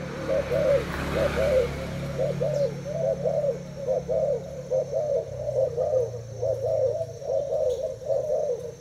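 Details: Thai spotted dove held in a cage for two days, duelling a decoy with a continuous series of mellow coos, roughly one per second, over a low rumbling background.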